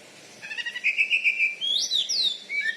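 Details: Captive champion Oriental magpie-robin from Bengkulu, Indonesia, noted for loud volume; steady warbled note that swoops into a high rising-and-falling whistle.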